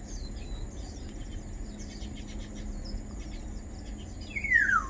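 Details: A single loud, slurred note of a Black-naped oriole (Oriolus chinensis) dropping steeply in pitch near the end; faint high chirps of other birds and a steady low rumble underneath.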